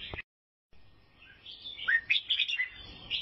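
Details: Song of an albino sooty-headed bulbul from Vietnam: a short chirp, a silent gap, then a soft whistle building into lively bubbling, sharp chirped notes.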